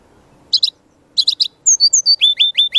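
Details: Brown-chested jungle flycatcher in chatty full-filler song, used as a lure and master for training: short buzzy high chirp bursts, then a run of clear whistled notes sliding downward, several repeated in quick succession.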